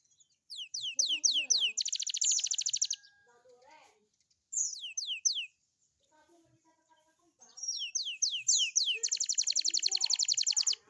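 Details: Young canary singing in the morning, used as a lure to prompt other young canaries to sing: runs of four descending whistled swoops alternate with rapid buzzy trills, separated by short quiet gaps.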